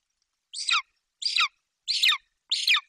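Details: ['Young golden eagle in its Bucovina nest tree, 28 July 2021, screaming with excitement as its mother flies in with a Eurasian magpie as prey: four harsh, hoarse screams, each sliding downward and spaced about two-thirds of a second apart, with no other sound.']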